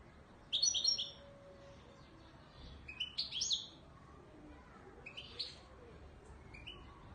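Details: Wedani Marrakchi goldfinch from Morocco, an authentic bird, giving three short tinkling song phrases spaced a couple of seconds apart, the first loudest, with a faint steady low hum underneath.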